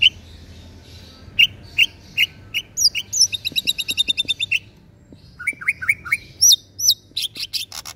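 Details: Caged green leafbird of a local East Java strain in Sidoarjo, a persistent singer day and night, delivers varied high chatter: spaced whistled chirps, a rapid rattling burst of sharp notes, then falling slurred whistles and scattered clicks.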